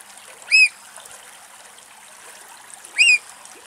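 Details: Eurasian oystercatcher (Haematopus ostralegus) during breeding/mating in Greece: two loud, shrill piping 'kleep' notes, each rising then falling, about two and a half seconds apart, over faint trickling water.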